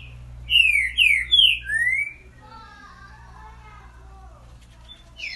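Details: Trinca-ferro (green-winged saltator) with boiadeiro song: four loud, rich whistled notes, each sliding down, about half a second apart, then quieter warbling lower notes and a final high whistle; a low hum persists.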